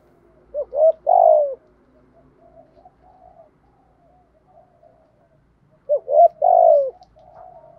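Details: Female spotted dove decoy calling to draw and stimulate males, 'thổ' voice style. Two phrases roughly five seconds apart, each quick short notes leading into a long downward-sliding coo. Soft distant cooing and a low hum fill the gaps.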